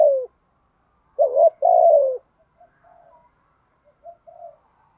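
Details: Thúc gù coo of a spotted dove used for training other doves. After the tail of a falling coo comes one complete phrase, a quick rising warble and a long descending coo, then scattered soft coos.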